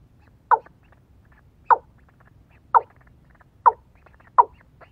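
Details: Watercock, a female used as a decoy to lure birds: short, abrupt clucking notes repeated about once a second, five in all, against a quiet background with faint low hum.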